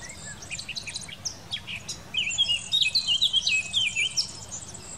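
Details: Eurasian blackcap in song in the Wittlicher Tal, Germany, 2018; soft high twitters lead into a loud, clear warbling phrase of bright, looping whistled notes, with a low steady rumble beneath.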